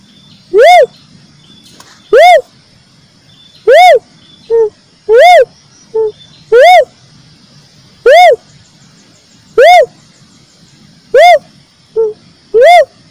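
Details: Cuckoo-dove (uncal) call, played as a lure for catching birds. Loud, rich arched notes repeat about every one and a half seconds, with shorter, lower clipped notes slipped in between some of them. A faint low hum runs underneath.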